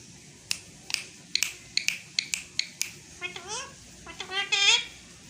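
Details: Pet Indian green ringneck parakeet talking in Urdu/Hindi, 2022. Sharp clicks and taps come first, then a run of short, harmonic, speech-like syllables that bend up and down, ending in a louder, buzzy phrase. The room is quiet.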